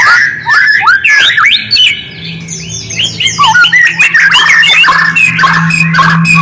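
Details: White-rumped shama song used as a lure to make quiet shamas respond: a fast, varied run of rich whistles, slurred upsweeps and downsweeps and sharp chips, with a steady low hum underneath.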